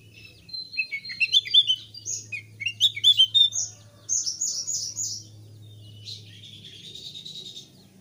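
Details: Thick-billed white-eye, a Javanese bird singing vigorously, used as a lure to prompt new birds to sing: bright, rapid high chirps and twittering trills in quick bursts, then a thinner buzzy warble, with a faint low hum beneath.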